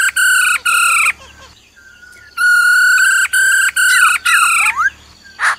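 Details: Black-throated laughingthrush singing forest-style phrases, a female trilling alongside: long, loud, buzzy harmonic notes held about half a second each, repeated with short gaps, ending in twisting slurred whistles and a breathy burst.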